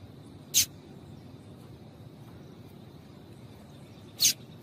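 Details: Female papa-capim (double-collared seedeater) piping used to get males singing: two brief, thin, high chips nearly four seconds apart, softer, with quiet hiss in between.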